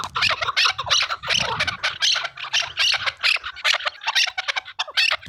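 Chukar partridge giving harsh, rapid, cackling chuk notes in a nearly continuous run of several bursts per second, with no other clear sounds.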